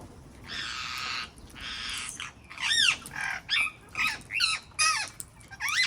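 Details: Wild parrots in the garden: a long grating screech opens, then a steady run of loud, looping, harsh squawks roughly twice per second.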